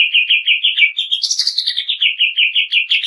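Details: Rapid chattering from a greater green leafbird in a harsh training song, quick repeated notes roughly six per second with a brief higher buzzy flourish in the middle.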